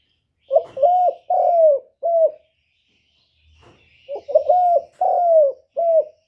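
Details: Male spotted dove calling so a female will lay: two low, soft four-note cooing phrases, each ending in a long slurred note and a short coo, separated by a pause with a faint low rumble.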